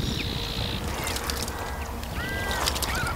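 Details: Iberian magpies bathing as a group in a fountain; a few thin rising and falling whistled notes, mostly near the end, against loud splashing water and a steady hiss.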